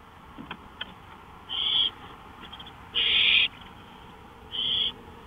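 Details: Owl heard from a porch in the small hours of May 5, 2013. Faint ticks come first, then three harsh, breathy screech-hisses about every one and a half seconds.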